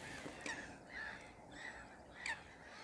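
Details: Western jackdaws leaving a roost before dawn by a lake in a short murmuration give short, squeaky 'tchak' calls, four or five spaced across a couple of seconds, over a steady background hiss.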